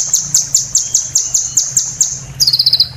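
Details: ['Training recording of sunbird song for caged songbirds. High downslurred notes repeat about five times a second, then a quick buzzy trill follows. A low hum runs underneath.']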